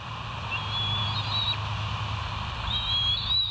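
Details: Wild bald eagles at the West End nest, 15 July 2023 around 04:58: two thin, high, whistled piping phrases about two seconds apart over a steady low rumble of background noise.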